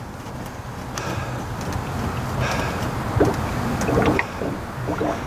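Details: Splashing and gurgling water over a steady low rumble, with no clear animal calls.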